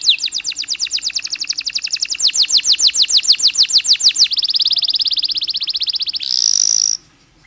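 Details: Canary pouring out a long song with pauses, used to get other canaries singing: brisk chains of descending whistles repeated several times a second, followed by a flat buzzy trill and a harsh high burst that breaks off into silence.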